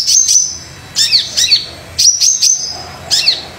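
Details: Highly active Brown-throated sunbird song to prompt quiet birds: paired very high piercing chirps, several with steep downward slurs, repeated about once a second.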